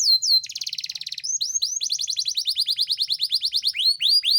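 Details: Caged Yorkshire canary song used to coax reluctant canaries to sing and breed: a sweeping whistle, a rapid rattling trill, then long series of rising swept notes repeated about five per second.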